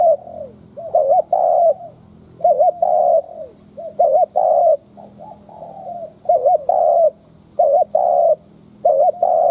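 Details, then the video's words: Lure spotted dove cooing steadily to provoke wild birds: a run of low phrases, each a rapid quavering double note and a longer full coo, about seven phrases with faint falling coos between. "Tiếng cu mồi đất thúc - gù kích bổi - tập mồi cực mạnh / Chim nghe tiếng này tức điên gù gáy cả ngày"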